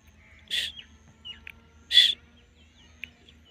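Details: Grey francolin, kept with a female, giving two loud, harsh, bursting notes about one and a half seconds apart, with faint chirps between them and a low steady hum underneath.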